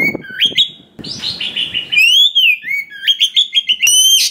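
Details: Oriental magpie-robin in a varied song full of imitated fills, used to provoke forest-caught birds into singing: clear whistled slurs, rising and falling, mixed with quick chattering notes and a burst of harsh rasp.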